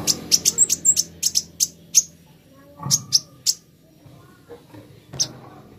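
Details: Plain flowerpecker, local name kolibri ninja, in a recording meant as singing therapy: rapid, sharp, very high ticks in an uneven burst, then sparser single ticks with quiet gaps.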